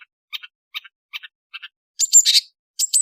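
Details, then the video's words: Afternoon song of an Indonesian long-tailed bird: spaced double chirps about every 0.4 seconds, then a louder burst of sharp, high whistled and scratchy notes. "BEAUTIFUL AFTERNOON WITH THE SOUND OF INDONESIAN LONG TAILED BIRDS"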